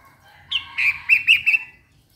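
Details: Short bulbul phrase: one clear high note, then a quick string of rounded, bubbling chirps that fade out within about a second.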